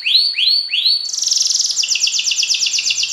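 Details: Competition canary of the F1 YS line: three slow rising whistled swoops, then a rapid, dense, high buzzy trill repeated many times a second.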